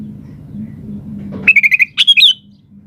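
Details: Sooty-headed bulbul singing in lively, chatty style meant to make other birds answer: a quick run of five short trilled notes followed by two loud bubbly whistled phrases, over a low steady hum.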